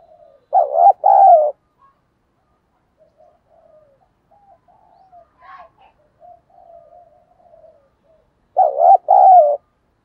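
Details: Spotted dove with a thổ-style voice, cooing to provoke a fight: a loud double-note coo, about seven seconds of faint soft murmuring coos, then the loud double coo again.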